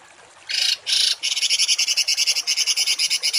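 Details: Masteran recording of a rough songbird 'tembakan' for training home and contest birds: two broad harsh blasts, then a fast chain of buzzy rasping pulses.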